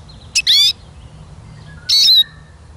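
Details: Eurasian siskin calling twice, the first buzzy downslurred note preceded by a short sharp tick, the second following about one and a half seconds later.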